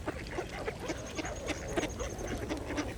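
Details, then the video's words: Several mallards feed at a pond. Short, nasal quacks repeat rapidly and unevenly, about three or four a second, over busy dabbling and water splashes. A thin high whistle is heard briefly. "Ducks Feeding at the Pond | Mallards"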